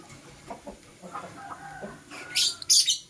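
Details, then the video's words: Green and blue masked lovebird chirping in the morning. Soft, short twittering notes open the recording and build into two loud, harsh, buzzy screeches near the end. "Lovebird Singing and Chirping Sounds - Green & Blue Personata"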